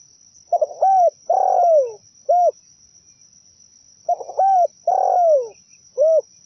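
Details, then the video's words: Lure recording of zebra dove song for attracting other doves. Each of two phrases has a fast stammering start, then a long falling coo, and closes with a separate short, soft coo. Faint hiss throughout. "Suara pikat burung perkutut"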